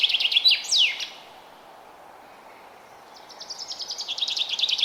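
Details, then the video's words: Forest bird in early spring ambience: quick high chirps and a steep falling whistle, then about two seconds of quiet, then a fast, swelling trill of bright, repeated chirps over soft background hiss. "Forest Bird Chirping Sound"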